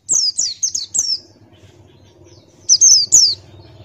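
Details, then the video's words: Ngalas-style singing from a male Buxtoni white-eye with open beak: a fast string of five high, falling chirps, a gap with faint low hum, then three more piercing slurred notes. "Masteran Pleci Buxtoni Ngalas Buka Paruh"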